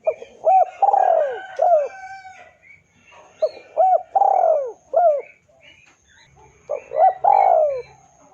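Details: Spotted dove used as a lure to call a rival: repeated cooing phrases, each a few short arched hoots around one long falling coo, given three times with short pauses between, in a quiet setting.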